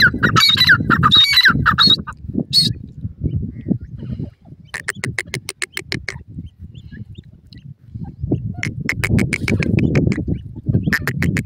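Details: Male and female grey francolin (teetar) calling: harsh, squawking notes with layered overtones in a quick burst, then a fast series of sharp, evenly spaced clicking pulses, over a steady low rumble of background noise.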